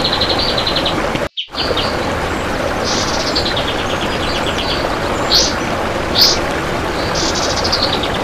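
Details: Kapas tembak song used as a master recording for training other birds, described as close-packed and long-lasting: bursts of fast, high, rattling trills and a few sharp single notes, over steady background hiss and rumble.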